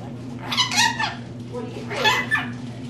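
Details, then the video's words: Pet female rainbow lorikeet kept indoors, talking in mimicked human phrases: two short raspy, speech-like bursts about a second apart, over a steady low electrical hum. "Lorikeet Talking"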